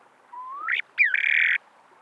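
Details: Snowy plover on the shore of the Salton Sea at Salton City, California, recorded March 12, 2012: a thin rising whistle, then a harsh buzzy note, a brief gap and a longer rasping burst, against a quiet background.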